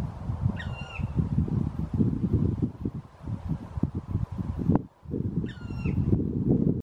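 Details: A black woodpecker (Dryocopus martius) in woodland in Southern Ostrobothnia, Finland, in late summer, gives two brief, harsh, slightly falling calls about five seconds apart, over steady low wind rumble and rustling.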